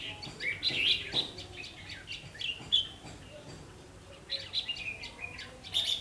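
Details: Afternoon recording at a bulbul trap, 3 September 2016, 5 pm: a red-whiskered bulbul delivers quick chattering, whistled phrases, pauses briefly, then resumes with a rising warble; low background hum throughout.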